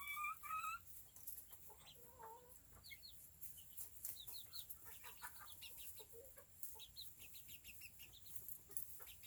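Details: A bantam chicken family with chicks: quiet, rapid high peeps and short chirps, with some lower clucking notes around the middle, set against a steady hiss.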